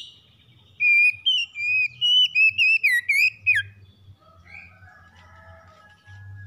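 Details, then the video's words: Morning song of a magpie-robin: loud, fluty whistles in a rapid run of looping, up-and-down notes, then softer, lower chattering notes and a low hum. "PEMULIHAN KACER SETRES DENGAN KICAUN PAGI CEPAT GACOR"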